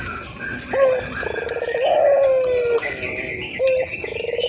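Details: Ringed turtle dove, a lively local bird from Indonesia, recorded to spur other doves into cooing: a brief coo, then a long gently descending coo, then another short note, low and mellow.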